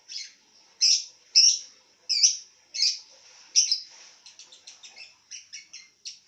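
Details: Lovebird calling while lying down: loud, harsh chirps spaced about half a second apart, then a rapid patter of softer, quicker chirps to finish.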